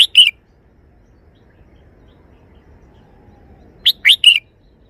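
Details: Red-whiskered bulbul showing a three-syllable song style: a song phrase cut off at the start, then a quiet gap of over three seconds, then three quick clear whistled notes, the last one longest and steady.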